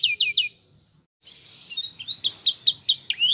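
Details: Canary singing to draw answers from other canaries: three sharp descending notes, a short silence, then a soft rising buzz leading into repeated bright chirped phrases.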